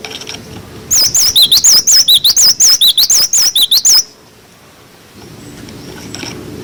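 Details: Clear-voiced cinereous tit song for training young birds, rendered 'wucit wucit': a three-second burst of bright, undulating whistles alternating in pitch, preceded and followed by quiet background hiss.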